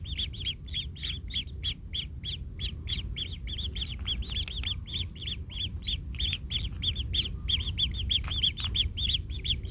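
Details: Kingfisher chick in the nest, hurt after its parent treads on it: continuous scratchy two-part chirps, about three a second, densely packed and uneven, over faint low background noise.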